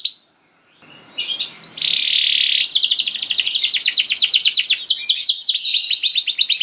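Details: Canary's long gacor song, intended to provoke other canaries into singing: a brief note and pause, then a harsh buzzy roll and a long run of rapid, evenly repeated chirping notes.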